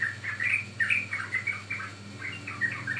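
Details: Bubbly whistled notes of a sooty-headed bulbul used as lure audio for trapping or training birds, repeated in quick uneven bursts over a faint hum.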